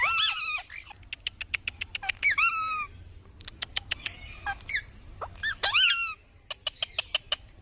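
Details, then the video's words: A parrot giving shrill harmonic calls that rise and fall, broken by rapid sharp clicking notes and a few harsher squawks, with short pauses between bursts. "Parrot ki awaz"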